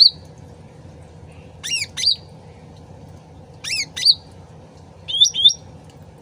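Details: Sooty-headed bulbul original sound used as a lure: harsh stacked squawk-like notes and sharp whistles, ending with a typical paired rising whistled phrase, all over a constant trickling water background.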